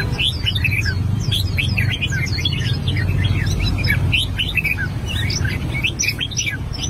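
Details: Albino red-whiskered bulbul practising its voice with a steady stream of short whistled chirps and slurred notes, evenly spread throughout, over loud low background rumble.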